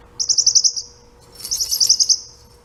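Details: A male pet parrotlet imitates the rattle of his toy ball: two quick bursts of about eight high, clicking pulses each, separated by a short pause.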